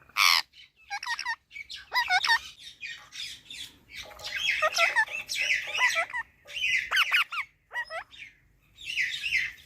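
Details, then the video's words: Parrot giving a loud sharp screech, then a string of warbling, rising and falling whistled notes and raspy chatter in uneven bursts, with brief quiet gaps, indoors. "Parrot talking videos"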